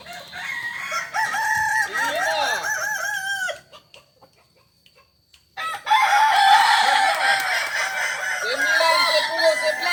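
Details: Kokok Balenggek cockerels crowing at a joint practice in Ampang Kualo, Kota Solok: stepped, repeated arching notes, a silent gap of about two seconds, then loud overlapping crows resume with a noisy crowd background.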